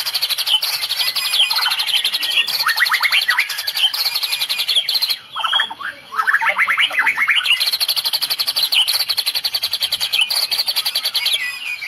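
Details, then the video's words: Medan-type white-rumped shama in full cililin-filled 'tembakan' song: dense, fast, high buzzy trills and rattling note series running almost nonstop, with a short break near the middle before the chatter resumes. "Tembakan murai medan full cililin bikin drop musuh"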